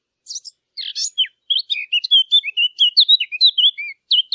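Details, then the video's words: Small bird chirping with a few scratchy, buzzy notes at the start, then a fast stream of bright whistled slurs, each note twisting up or down, delivered almost continuously against a clean, quiet background. "نصف ساعة من صوت العصافير الجميل ، Yarım saat kuş cıvıltısı ، Half an hour of birds chirping"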